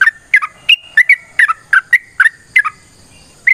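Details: Long fighting song of a yellow-vented bulbul, played to make other birds respond. Bubbly, gurgling two-note phrases come about every third of a second, bright and liquid, with a brief pause near the end.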